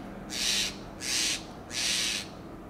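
A Steller's jay gives three harsh, raspy shrieks, each about half a second long and spaced evenly, with a quiet background.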